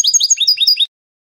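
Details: Spanish-style goldfinch song, canto de salón from a training recording: a short burst of liquid, high twittering notes, some slurring downward, delivered in quick succession before silence.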